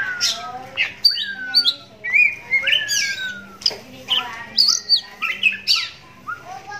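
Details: Adult oriental magpie-robin, blind in the right eye since youth, singing as a lure for other magpie-robins to answer; dense, fast song of rising and falling whistles, harsh high chips and short trills with barely a pause.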